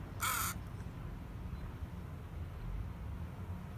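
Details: A crow visiting people and a Yorkie dog while they wait at the ferry to Vesuvius, offered a dog biscuit. It gives a single harsh, broad caw near the start, followed by low background rumble and quiet.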